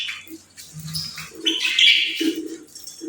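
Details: Playful pet birds chirping: a bright warbled chatter of short chirps and twittering notes, loudest in the middle, with soft low thumps beneath.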